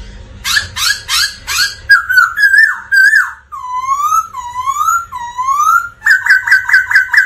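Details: Black laughingthrush singing and displaying, used as a training recording to excite other birds: loud whistled song opening with rapid harsh downslurred notes, then warbled phrases, three long rising slurred whistles, and a fast run of repeated ringing notes.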